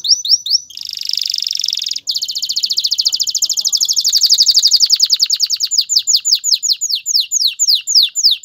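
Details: Male canary, singing to encourage a female to mate and build her nest, delivers an unbroken run of rolling trills: dense high buzzing at first, then evenly spaced sweeping notes repeated rapidly for several seconds.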